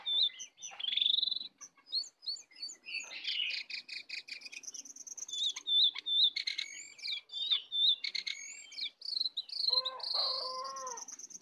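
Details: A wild sooty-headed bulbul sings against a caged one in a fierce contest, full song; uneven runs of chirps and bright whistled notes, some long sweeping phrases, about two or three notes per second.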